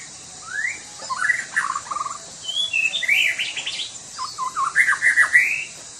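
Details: White-rumped shama from Sumatra singing vigorously: rising whistles, bubbling trills and quick, stuttering chatter in several dense phrases separated by brief gaps, over a faint steady high hum.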